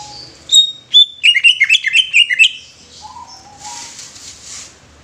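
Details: Greater green leafbird singing: two high sharp whistles, then a fast stuttering series of bright chirped notes. A soft hiss and a low whistle trail off after the phrase.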